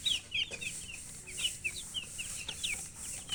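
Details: High, thin peeping from colored chickens, short curved chirps given in quick irregular clusters, slightly softer, with a faint hiss behind.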